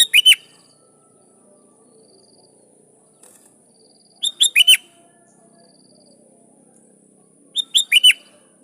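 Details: Sooty-headed bulbul singing to draw rival and wild bulbuls to answer: three repeats of the same short, bright four-note phrase, spaced roughly four seconds apart, over a quiet background.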